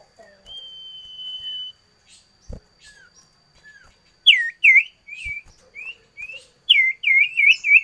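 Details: Common iora singing: a long, steady drawn-out whistle, then pauses and soft downslurs, then rapid series of bright looping whistled notes repeated in quick succession.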